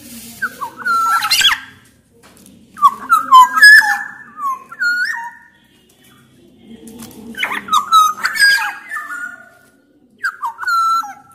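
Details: Kepodang, a black-naped oriole of the Sumbawa type, with Javan male and female also present, sings loudly to trigger other orioles: repeated clusters of fluty, bouncing whistles with short harsh notes, four bursts separated by pauses.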